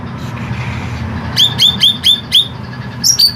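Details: Green leafbird, a caged songbird with long, harsh song, gives a run of five sharp down-slurred whistled notes about every quarter second, then a brief pause and further notes, over low background rumble.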